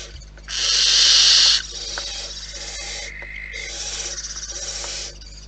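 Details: A barn owl at its nest gives a loud, drawn-out hissing screech, then quieter rasping hisses with a short thin tone, and finally a longer, fluttering hiss.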